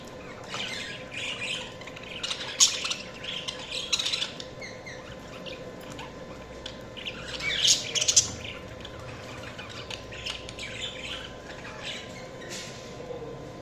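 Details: Budgerigars keep up a busy warbling chatter, rough chirps and squeaky bursts coming in uneven clusters, louder around the middle and fading to softer twittering; low background hum throughout.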